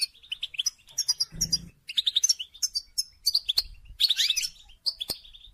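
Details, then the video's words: Goldfinch song played to stimulate mating: rapid bursts of bright twittering chirps and trills between 2k and 8k, in short phrases separated by brief pauses, with a low thump near the start. "Song And Stimulating Goldfinch To Mate"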